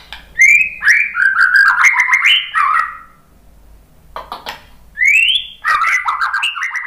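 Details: White-rumped shama (murai batu) singing vigorously back at a lure recording: long, fluid phrases of tumbling, warbled whistles with clicks, a short pause, then a rising whistle and further rapid warbling.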